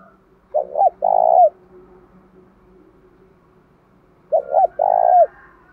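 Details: Spotted dove cooing, used to provoke fighting and to train decoy birds: two clear phrases about four seconds apart, each with two short low hoots and then a longer, louder drawn-out coo ending in a brief upturn, over quiet background.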